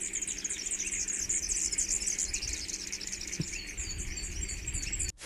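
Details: Superb fairywren from Australia giving its ultra-fast, high-pitched, laser-like reeling trill that runs almost without a break, with a faint low hum beneath.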